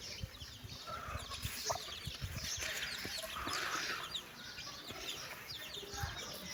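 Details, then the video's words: Mother hen with her chicks out walking; many chicks cheep in a dense high twittering chorus, with an occasional hen cluck and soft rustling underneath. "mother hen calling her babies chicks for walk"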